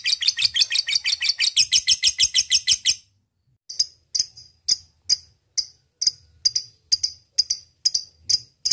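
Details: Lovebird calling a rival with ngekek chatter: a dense, rapid, high rattle for about three seconds, then a pause, then separate sharp high chips spaced roughly half a second apart.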